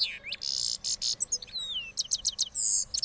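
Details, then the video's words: Hybrid goldfinch from Parachinar, moulted, sings a quick rolling phrase: harsh buzzy bursts, a falling whistled slur and crisp high twitters in close succession. "Cross Gold Finch Part 3 After Moulting Rolling Songs"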